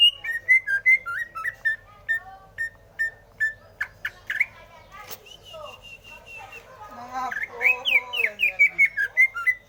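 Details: Greater green leafbird song: a run of short, evenly spaced whistled notes sliding downward, then a denser, varied warbling passage with rapid chattering notes and some lower tones, ending in a fast series of bright repeated whistles.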